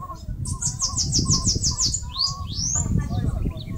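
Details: Bananaquit singing while building a nest in a mandacaru cactus in northeastern Brazil: a fast run of about ten thin, high, buzzy notes, then a couple of sharply upslurred squeaks, over low rumbling background noise.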